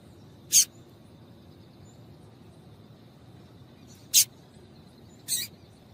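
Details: A female double-collared seedeater gives three short, high, sharp chips, irregularly spaced over a few seconds against a faint low hum; the calls are used to stimulate males to sing.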